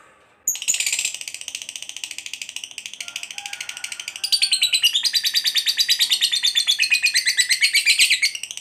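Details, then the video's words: Lovebird of fighter type in extended ngekek, meant to trigger quiet lovebirds to reply: a sharp onset, then a continuous fast chattering trill, softer at first and growing louder and denser over the last four seconds. "Pancingan Lovebird FIGHTER Ngekek Panjang, Lovebird BAHAN SUKA DIAM Langsung PANAS AUTO NYAUT"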